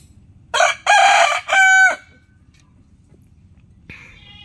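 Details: Rooster crowing early in the morning: a loud crow of three parts over about one and a half seconds, two harsh broad syllables then a drawn-out tonal final note, followed after two seconds by a faint, higher, brief call.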